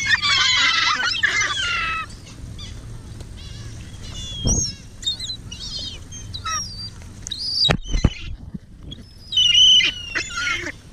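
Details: Several gulls at lake Hovindammen being fed minced chicken meat: loud, harsh squealing calls open the recording, followed by scattered shorter cries, high chirps and sharp clicks or knocks from the feeding scene.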